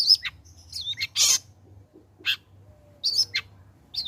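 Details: Long-tailed shrike singing as a lure to prompt other shrikes to sing: a brief mix of thin whistled slurs and short harsh, grating bursts, with a faint low hum beneath.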